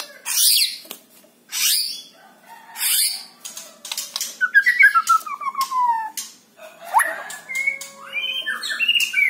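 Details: White-rumped shama song used to trigger captive birds: loud harsh hissing screeches at intervals, then a quick descending chain of whistled notes and bright upslurred whistles.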